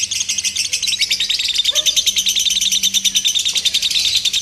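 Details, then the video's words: Lovebird in a simulated singing competition for training: loud, fast, high-pitched chattering trill, pulsing rapidly and steadily for the whole stretch, with a brief low murmur midway and a faint background hum. "SIMULASI LOMBA TERBARU : TERBUKTI AMPUH MELATIH MENTAL LOVEBIRD"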